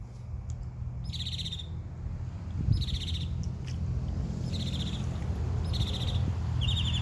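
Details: Bird chirping in a backyard in summer: short buzzy trilled bursts, each about half a second, repeated every second or so, over a constant low hum.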